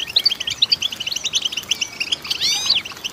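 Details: Female goldfinch song, a busy stream of quick, bright twittering notes broken by a cluster of slurred, rising-and-falling whistles near the end.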